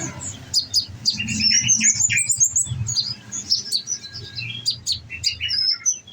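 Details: Caged olive-backed sunbird on a nectar diet sings a fast jumble of high chirps, squeaky twitters and short rising whistles, with a steady low hum in the background.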